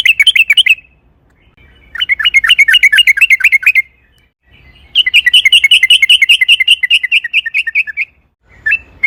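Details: Yellow-vented bulbul with a long rolling 'ropel panjang' song used to coax other bulbuls into singing: three long, fast, warbling trills of rapid bubbling notes separated by brief pauses.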